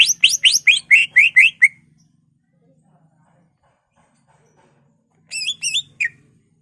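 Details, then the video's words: Greater green leafbird mimicry song to provoke other leafbirds: a fast series of about eight sharp upslurred chirps, a pause, then three wavering trilled whistles and a final downslurred note. "BURUNG CUCAK IJO Bongkar Isian, ngentrok/ Pancingan Cucak Ijo merangsang emosi cucak ijo lain"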